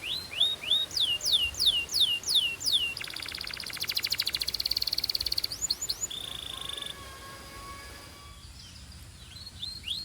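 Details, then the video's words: A Belgian canary sings high, bright upslurred whistles about three per second, then a fast buzzy rattling trill and rolling notes, no other sounds; a warm-up song meant to fire up females. Canary. "Corner to Warm Up Belgian Canaries and Fire Up Females"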